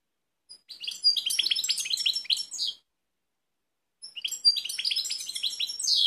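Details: Balkan European goldfinch singing in Kumanovo, Macedonia, 16 March 2018: two rapid, liquid twittering phrases of tinkling and buzzy notes separated by about a second of silence, clean background.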